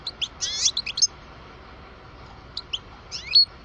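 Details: Twelve-year-old European goldfinch, parva type, singing a fluid twittering phrase with slurred rising and falling notes, a pause, then a few chirps ending in a bright sharp whistle.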